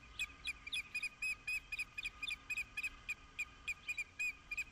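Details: Mating osprey at Dunrovin Ranch, recorded 11 April 2016, giving a continuous run of clipped, high whistled cheeps at a quick, slightly uneven pace against a faint hum.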